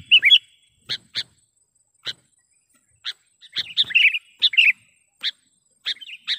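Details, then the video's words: Sooty-headed bulbul calling as a trapping lure meant to excite wild birds: isolated sharp, clicky chips spaced about a second apart, broken by short bursts of bubbly, slurred chatter. "suara BURUNG KUTILANG PIKAT gacor / pikat kutilang gacor dengan suara panggilan kutilang gacor"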